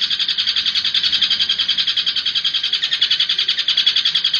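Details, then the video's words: Long-tailed shrike lure recording in the 'nembak' (shooting) style, used to provoke other shrikes into singing: a dense, harsh, buzzy chatter of rapid pulses, about ten per second, running steadily without a break and with no other sounds. "PANCINGAN CENDET AMPUH,, NEMBAK DURASI 5 MENIT"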